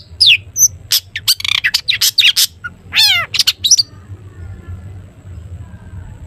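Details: Long-tailed shrike singing the 'toet toet' style to coax other shrikes into song: a quick run of sharp ticks and chips, then a long, descending raspy phrase, followed by quiet hum.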